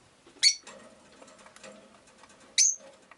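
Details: Rosy-faced lovebird kept as a pet, with two harsh, shrill chirps about two seconds apart and soft chattering and rustling between them.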